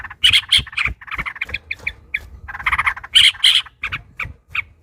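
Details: Agitated yellow-vented bulbul giving an extended rolling song meant to spur rivals to answer: rough, bubbling phrases in rapid clusters, with a few piercing squeaky notes standing out.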